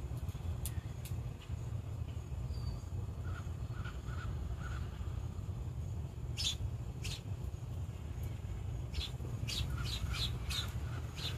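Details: A wild Blue Jay in its natural habitat gives harsh, screechy calls in short bursts, several in quick succession near the end, over a steady low rumble of wind.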